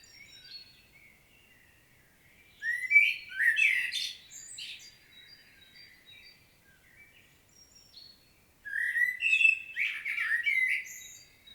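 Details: Common blackbird singing a powerful solo, recorded in Świnoujście, Poland, on 25 September 2022: two phrases of low fluting whistles rising into squeaky, twittering flourishes, separated by a quiet pause with faint distant birds.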